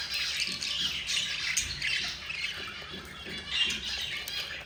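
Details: Four young budgerigars being fed by their yellow mother: a steady, softer wash of raspy, wheezy squawking, fairly even in loudness with a few stronger swells.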